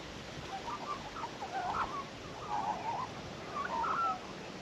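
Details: Two Australian magpie chicks in a vegetable patch give soft, warbling and gurgling notes in short bursts, with a few brighter whistled phrases over a steady background hiss.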